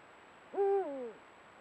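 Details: Deep, hollow hoot from a Eurasian eagle-owl, one of a pair filmed by camera trap in golden evening light; the note climbs, sustains, then sags downward in stages before ending.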